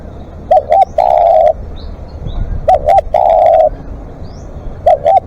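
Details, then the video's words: Spotted dove calling at length as a live decoy: double coo and long croo repeated about every two seconds, a third phrase beginning at the end; thin rising chirps of other birds are heard faintly. "เสียงนกเขาใหญ่ ต่อสดเรียกยาวๆ"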